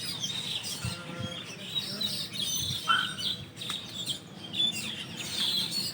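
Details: Morning after dawn prayer beneath a dense-leaved roost tree used by a big flock of Asian glossy starlings; piercing short whistles and squeaky chirps tumble over one another, with a soft low murmur underneath.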